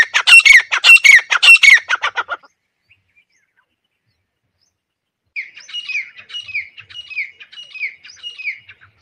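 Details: Grey francolin call used as a hunting lure: a loud burst of harsh notes for two seconds, silence, then a fainter series of short downslurred notes repeated steadily about every half second.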